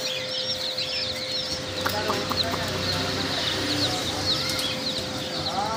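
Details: Chicken chicks peeping in a group, a shimmer of high slurred chirps with some lower calls and faint talking, over a steady hum.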